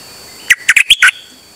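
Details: Dok Taeng bird, recorded 8 September 2023 on a rare outing, singing without pause: five quick chirpy notes bunched within about half a second, the last one broad and harsh, over a quiet background.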